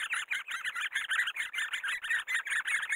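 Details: Great spotted woodpeckers during the raising of their young: a dense, fast run of harsh, noisy chattering notes repeated several times a second, pulsing in short bursts with no clear pauses.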